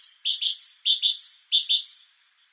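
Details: Parus major, the great tit, delivers a steady string of four quick repeated phrases, each a pair of buzzy notes topped by a higher slurred whistle, ending in a fading tail.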